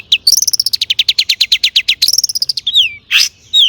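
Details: Long-tailed shrike singing hard with imitated phrases, a lure for other shrikes; a long fast series of about twenty sharp, ringing notes, then a slurred whistle and a harsh rasp.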